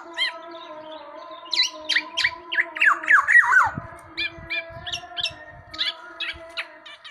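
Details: Tame black-naped oriole singing a series of descending whistled slurs that grow louder in the middle, then scattered chirps, over a steady droning tone in the background.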